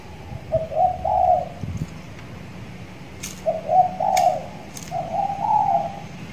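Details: Spotted dove, a six-month-old trainee tied in a hanging cage, calling more often: three low, slightly rising coo phrases with short pauses between them, plus a few sharp clicks.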